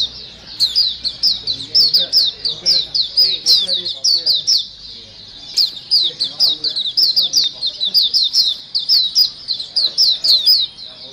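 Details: Energetic white-eye flock chorus meant to attract birds: rapid runs of high, thin twittering notes in two long bursts, with a pause between them and some faint lower chatter beneath.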